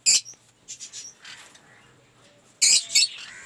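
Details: Shrill, high squawks from aviary lovebirds open and close a stretch of softer, lower chatter. The birds come from a collection of colour mutations including Blue Aqua Rosy.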